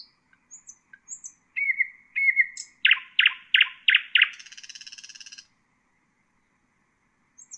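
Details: Nightingale song used as a tutor for bulbuls and other songbirds. Thin high whistles and slurred notes lead into five loud, sharp, descending strokes, then a rapid buzzy rattle, followed by quiet.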